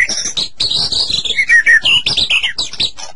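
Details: White-rumped shama song from a master recording meant to get kept shamas singing: a rapid, varied run of high whistled notes and chirps, with short slurred phrases dropping then rising, packed closely over three seconds.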